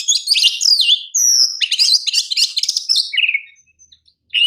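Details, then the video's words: Champion Oriental magpie-robin song used as training master: rapid, varied whistled and buzzy phrases, sweeping up and down, delivered almost continuously before a brief pause and a final whistled note. "KICAU KACER JUARA PALING PAS UNTUK MASTERAN KACER"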